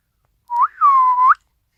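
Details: Single drawn-out whistle from a pet Isabelle pearl cockatiel, recorded Christmas Day 2017: a brief rising note, then a long level tone ending in a quick upward flick.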